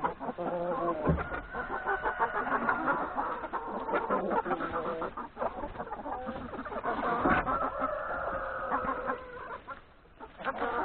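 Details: Farmyard chickens and three roosters eating breakfast before forest grazing; long stretch of overlapping clucks and drawn-out calls from many birds, busy and continuous, fading slightly near the end.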